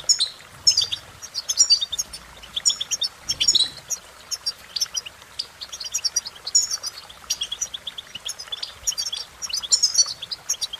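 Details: Fast, jingling twitters and high chips from a European goldfinch, coming in repeated bursts over a faint background hiss.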